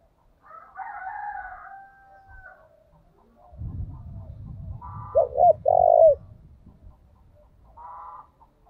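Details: Spotted dove calling as a decoy: two brief hooked coos then a longer coo, set among buzzy bursts and a steady two-toned whistle at the start, over low rumbling background noise.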